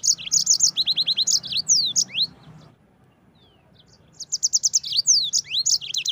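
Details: Yellow-fronted canary singing in a fast, tightly packed lively style with rough bursts, meant to tutor or lure birds: buzzy high trills and swooping whistles, silence from about three to four seconds, then renewed rapid phrases.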